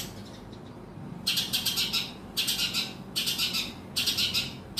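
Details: Long-tailed shrike provoked to sing, giving four loud harsh rasping bursts, each about a third of a second long and spaced about a second apart, after a quiet start.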